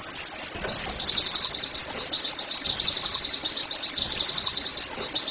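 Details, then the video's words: Oriental white-eye delivering the rapid 'nembak' song, meant as training to get other white-eyes singing. A shrill, steady stream of fast, evenly pulsing high notes runs almost without a break. "TERAPI NEMBAK PLECI I, Agar Pleci anda cepat GACOR"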